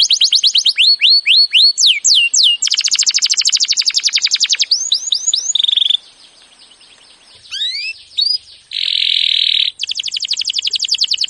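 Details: Canary training song with varied tours: falling whistled slurs, buzzy rolling trills, a brief low steady trill and a pause, then upswept chirps and a dense harsh buzz before a final rapid trill.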